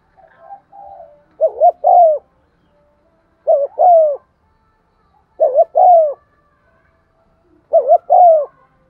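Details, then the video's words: Decoy spotted dove cooing to stimulate other doves, in 'giọng son' voice: soft humming at the start, then four low phrases of a quick double coo and a drawn-out note, about every two seconds. "Tiếng chim cu gáy mồi thúc gù bài bản giọng son"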